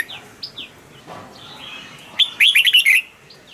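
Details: Caged red-whiskered bulbul delivering one loud phrase of five or six quick, liquid whistled notes, after scattered soft downslurred chirps.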